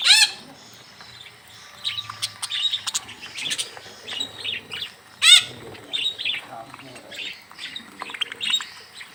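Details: Hand-fed budgerigars in a mini aviary: a sharp squeak opens a stretch of rapid, twittering warbles and chirps from several birds, with a second loud squeak midway and light rustling.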